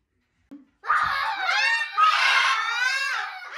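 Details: A deliberately provoked Moluccan cockatoo, in a loudness comparison with a scarlet macaw, gives loud, harsh, drawn-out screams with rich harmonics, rising and falling over about three seconds after a brief soft sound.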